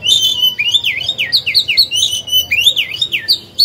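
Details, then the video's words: Decoy oriental magpie-robin singing to draw other birds into singing contests, with loud, rapid swooping whistles that rise and fall, repeated in rolling bursts with scarcely a pause. "Chòe than hót hay, luyện mồi, kích bổi, tập chim non, mép vàng hay!"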